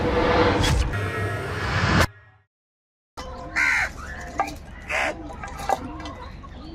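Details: Angry crows fighting for food: after a burst of music and a short silence, harsh, loud caws come in separate bursts about a second apart, with softer calls between them.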